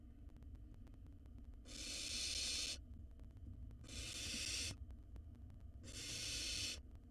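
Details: Wild barn owl nestling in a camera-monitored nest box, swallowing a mouse whole; three harsh, breathy hissing bursts, each about a second long, repeat roughly every two seconds over a low background rumble.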